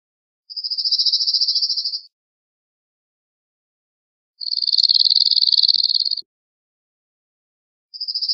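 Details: Cirl bunting delivering repeated monotone trills, rattling high notes in bursts of about one and a half to two seconds, spaced by pauses of around two seconds.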